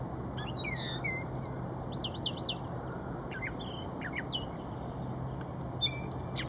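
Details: A brown thrasher singing at Shred-It Pond gives a rich, varied string of quick, high chirps, slurs and whistles, with some phrases doubled, over a steady low hum.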